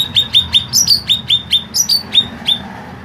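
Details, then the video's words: Green leafbird, kept as a songbird and noted for long, harsh singing, delivers rapid repeated sharp whistled notes, roughly six per second, some higher and buzzier, steady over faint low hum. "CUCAK IJO MASTERAN PANJANG DAN SUARA KASAR"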